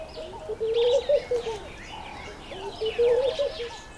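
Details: Courting laughing dove trying to win a female's attention, giving two bouts of low, bubbling, slightly rising and falling coos about two seconds apart, while other small birds chirp and twitter at higher pitch.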